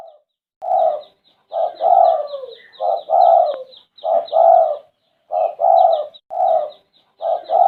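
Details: Spotted dove, known locally as derkuku, a red-eyed bird in full voice, giving repeated low cooing phrases of soft rolling notes ending in a longer coo, steady rhythm, with thin high twittering from other small birds in the background.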